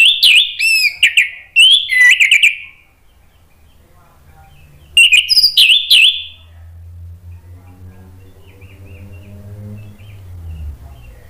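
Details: Orange-headed thrush song used to stimulate a silent bird into singing: loud whistled, warbling phrases with rising and falling slurs for about three seconds, a pause, then another burst, leaving faint low hum.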